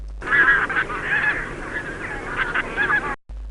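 Bean geese give a run of nasal, mid-pitched honks, several overlapping in quick succession for about three seconds, then stop abruptly.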